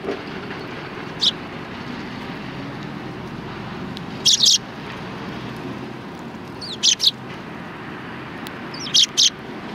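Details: Sparrows coming to be fed at a Tenmangu shrine, 16 January 2020: a few short, sharp high chirps, some doubled, scattered over a steady low rumble of traffic.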